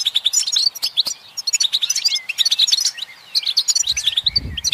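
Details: European goldfinch song, played to stimulate other goldfinches to sing: a fast, dense twittering of bright, liquid chirps and trills that breaks off briefly near one second and again before four seconds, with a soft low thump near the end.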